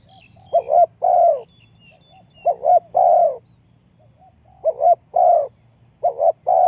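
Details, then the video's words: Spotted dove calling as a trapping lure: four soft phrases, a stuttered double coo then a longer rounded one, separated by short pauses, with faint high notes at the very start. "The Sound Of Spotted Dove is good,Bẫy cu gáy bằng mồi trồn,เสียงนกเขาใหญ่,Suara Terkukur Pikat Tua"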